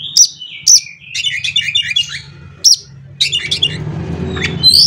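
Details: Oriental magpie-robin song played to set other magpie-robins singing: piercing high notes, dense scratchy chattering phrases, more sharp notes and closing whistles, with a low hum and some background noise.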